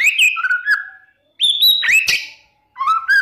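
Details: Energetic White-rumped shama lure song meant to make rival shamas answer: short bursts of clear whistles and sharp upward-flicking notes, separated by brief silences.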